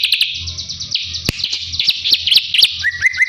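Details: Drongo song used to train a white-rumped shama: a jumble of quick chattering notes and short sharp chips, closing with a couple of lower, level whistled notes, over a faint low hum.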